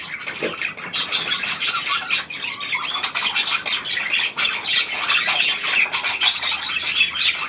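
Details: Pied budgerigar, tame to the hand and newly arrived, February 2023: raspy squawks mixed into continuous bright chattering, some sharper calls standing out every second or so.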